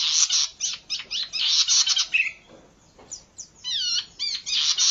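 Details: Zitting cisticola singing on a lure and training recording. Dense, rapidly repeated harsh chattering notes break into a short pause, then come back with thin, rising, slurred chips and renewed buzzy bursts.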